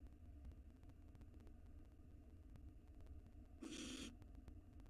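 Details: Wild baby barn owls huddled together in a monitored nest box: one harsh, breathy hiss lasting about half a second rises over a constant low electrical hum.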